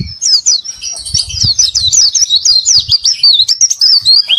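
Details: Continuous, rapid, high warbling of an Oriental white-eye singing in the 'gacor isian' style, packed with wavering, zigzag whistled notes and quick downward chips, with soft low thumps beneath.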